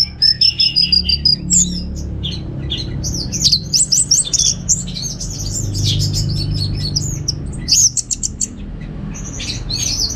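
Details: Captive orange-headed thrush from Singaraja, North Bali, sung at home as a lure and master song for birds; opens with a rapid repeated high stutter, then a long dense stream of varied whistles, slurs and chips, low hum beneath.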